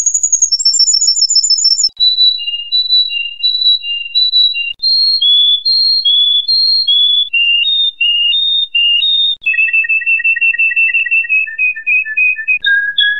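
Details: Canary song made of clear whistled tours: a high trill, then steady repeated notes stepping down in pitch in pairs, ending on lower rolled phrases and a final held whistle, with no other sounds present.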